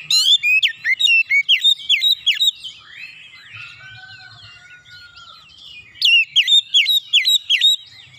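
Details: Oriental magpie-robin in vigorous song, long runs of loud, clipped downslurred whistles repeated several times a second, a softer warbling interlude with a drawn-out whistle, then another fast run.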